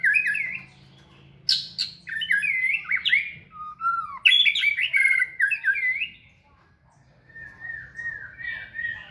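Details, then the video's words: Caged white-rumped shama in full, energetic song during flight-cage training: rich whistled warbles and sliding notes mixed with sharp clicks and buzzy bursts, then softer repeated trills near the end; low background hum. "Giọng chòe lửa hót rực rỡ đầy năng lượng"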